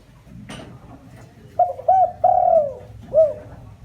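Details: Decoy spotted dove cooing to attract wild birds: a sharp click, then two quick hooting notes, a long mellow falling coo and one short closing note.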